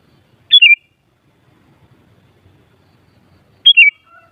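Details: Sooty-headed bulbul giving two short, bright whistled phrases about three seconds apart, each a quick rising note that drops into a bubbly downward slur, with near silence between.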